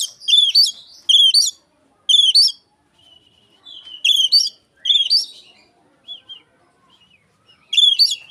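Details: Oriental magpie-robin singing in imitation of an Asian pied starling, meant as a lure for other magpie-robins; loud, shrill, rising whistled phrases with harmonics, given in bursts with short pauses, plus softer fragments between.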